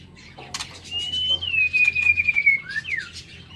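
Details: White-rumped shama in an aviary in the morning: a sharp click, then a long pure whistle held and sliding gently downward for nearly two seconds, followed by two quick slurred notes.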